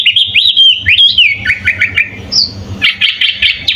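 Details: Sooty-headed bulbul singing a full, varied song recorded as a master for teaching other birds: looping whistled phrases, a short high clear note, then a rapid burst of repeated bright chirps, with a low background hum.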